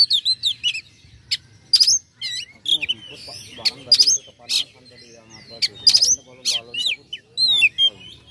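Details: Lure song of an oriental magpie-robin meant to rile rival males: rapid varied phrases of bright whistles, chattering trills and harsh rasping notes, high-pitched and continuous, faint low rumble behind.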